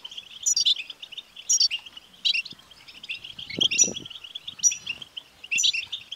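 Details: European goldfinch twittering song, the batbata style, aimed at prompting a caged male goldfinch to sing. Continuous high chatter with sharp, clear whistled bursts about once a second, and a faint low thump midway.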